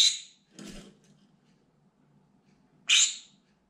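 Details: Pet green-cheeked conure indoors, screaming loudly and desperately, set off by sounds, movements or birds outside the window: harsh, piercing shrieks, one at the start and another near the end, with a softer rasp and faint low hum between.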